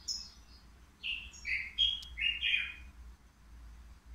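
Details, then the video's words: Three-year-old European goldfinch kept in a cage at the Qriaa bird market, praised as singing without mistakes; a pause, then a run of buzzy twittered notes stepping down and swelling, ending in a rasping chirp. "الموقنين بدون أخطاء"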